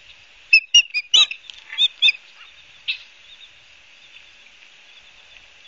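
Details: Ospreys at Barnegat Light, New Jersey, on 12 September 2022 give a short burst of loud whistled chirps, a few softer notes, then near quiet with faint hiss.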